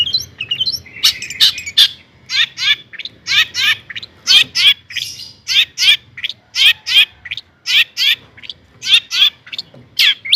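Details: Long-tailed shrike in a vigorous 'gacor' song meant to provoke rival shrikes, delivering long runs of loud, harsh, rhythmic chip notes in quick pairs and triplets with few gaps.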